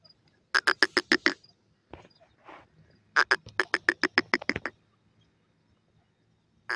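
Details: Native pheasant chicks feeding on real food in the wild; bursts of rapid, evenly spaced peeping calls, two runs of about eight to ten notes each, with softer scratchy sounds between.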